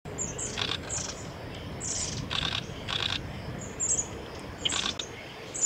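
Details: Long-tailed tit bathing at Gongenyama Bird Sanctuary, Japan, 8 September 2018, giving thin, very high, short 'see' notes scattered every second or so, among soft splashing and fluttering bursts.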